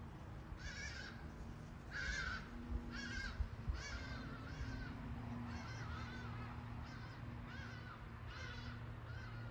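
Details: Hadada ibis giving loud, harsh, nasal calls in a repeated series of about eight, each roughly half a second long, over steady low background rumble.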